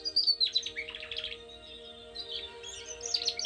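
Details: A domestic canary sings two bursts of quick, high chirps and rolling trills separated by a brief pause, over a faint steady low hum; the song is meant as training song for young canaries.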